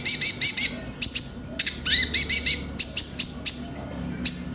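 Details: Brown-throated sunbird, known as konin, on a lure recording for young birds: rapid high chip series paired with lower curved notes, broken by sharp click-like bursts in a lively, irregular rhythm.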